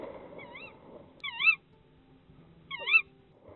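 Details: A tawny owl pair at an ash-tree nest in the Yorkshire Wolds, 2021, call to each other while the female incubates eggs and begs for food. They trade three short, wavering rising-and-falling calls over about three seconds above a low rumble.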